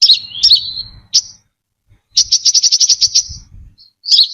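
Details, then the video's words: Brown-throated sunbird song for luring, without background sound: slurred twittering phrases, a short high note, then a fast even trill of about a dozen high ticks followed by another sweeping chip. "Tiếng chim hút mật Họng Nâu(chim Đỗ Quyên) mồi chuẩn không tạp âm"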